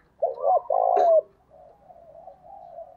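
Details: Spotted dove cooing used as a lure for wild-caught caged doves: one phrase of two brief coos and a longer sliding coo, then a soft murmur of distant cooing.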